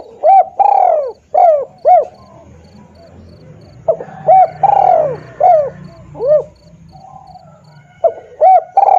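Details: Spotted dove lure recording with repeated phrases of arched, mellow coos. Short notes lead into longer, louder crooning notes, with several phrases across the clip over a faint low hum.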